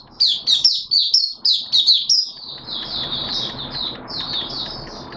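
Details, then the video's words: Oriental white-eye (Malaysian Mata Puteh), a hobby bird recorded Sunday 21 June 2023: loud, sharp, high chirps in quick succession, then softer thin twittering over a steady background hiss. "Malaysian Mata Puteh Buka Sing"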